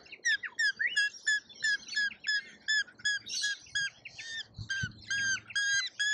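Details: Lorikeets in a feeding frenzy at a feeder in Australia give a rapid series of sharp, squeaky, repeated notes, nearly three each second, with short gaps between bursts.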